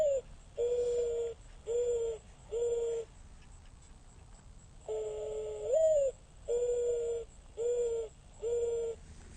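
Mourning dove song given twice: a low, soft coo sliding upward, then three steady, mournful hoo notes, each about half a second long, over faint hiss.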